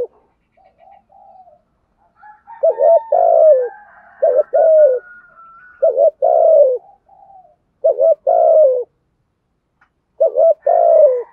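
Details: Spotted dove in thúc gù cooing style, repeating a low two-part phrase about five times, roughly every two seconds: a brief double note, then a longer, drawn-out falling coo, with soft higher murmurs between phrases.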